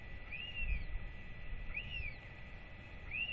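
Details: Northern royal albatross chick calling as parents return to feed it after a ranger weight check, 8.10.24; rising-then-falling whistled 'whee' notes repeat roughly every 1.4 seconds over a steady low rumble and hum.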